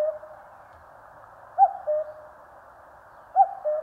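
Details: Mountain recording from Korea of a common cuckoo giving two clean cuck-oo calls nearly two seconds apart, each a short high note then a lower, drawn-out one, against a quiet background.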